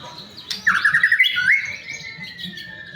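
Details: Song of a white-rumped shama, played to coax other shamas into singing: a quick trill of bright repeated notes that leaps into a sweeping rising whistle, then fades to a faint trailing tone.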